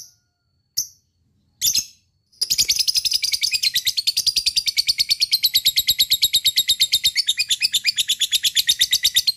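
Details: Lovebird in ngekek song, a style used to prompt other lovebirds to sing. Three sharp high chirps, then a long fast chattering trill of rapid buzzy notes running steadily to the end.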